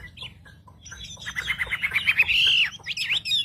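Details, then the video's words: Wambi song used to provoke other wambi: soft scattered chips building into a loud, steady run of quick whistled notes, then a long sustained whistle and a few sharp closing notes. "pancingan suara wambi paling ampuh untuk memencing emosi burung wambi"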